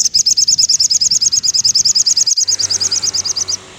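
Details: Crimson sunbird in afternoon song, meant for captive birds that have stopped singing: one long, fast, steady trill of sharp, very high, evenly spaced notes, about three per second, ending abruptly.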